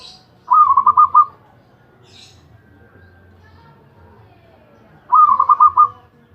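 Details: Ecek ecek song of a champion zebra dove: two short rapid trills of about six soft, rolling coo notes each, roughly four seconds apart, with brief faint high rustles between them.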